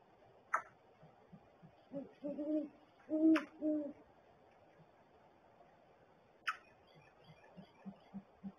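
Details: Great horned owls, a pair at their barrel nest, January 13, 2022, 7:19 AM; the male adds gular-like sounds to his hooting. A short cluster of four deep hoots midway, sharp clicks before and after, faint low pulses.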